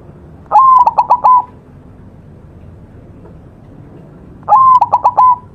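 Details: White zebra dove in full vigorous song, a master recording for training birds: two matching phrases about four seconds apart, each a rising coo then a run of quick pulsed notes.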